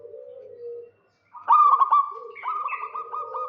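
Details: Zebra dove, a local bird, singing to draw out a rival. A soft low coo and a brief pause come first, then a loud stuttering cooed phrase breaks into quick rippling notes while a second dove overlaps beneath.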